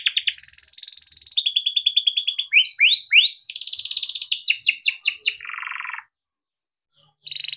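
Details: Caged domestic canary, a long-singing bird used as a tutor for young canaries, giving a fast rolling song of rapid trills, a series of rising whistled sweeps, then a buzzy phrase, with a brief pause before trilling resumes.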